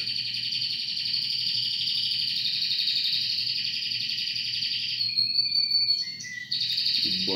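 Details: A pair of canaries singing, an extended rolling high trill held for several seconds, then shorter whistled notes at changing pitches, with a low hum and a brief thump near the end.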